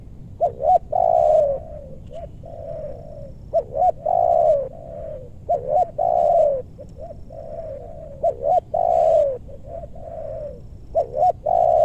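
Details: Spotted doves calling while being lured in western Bogor meranti woodland. Loud phrases of twin short notes and a long falling coo repeat about every two seconds, over continuous faint cooing from another dove.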